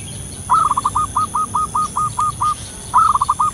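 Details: Local wild zebra dove, described as actively calling in the wild and used as a lure sound: a quick stuttering opening, then about eight soft, even coos spaced evenly, followed by a second stuttering phrase. Faint higher chirps behind.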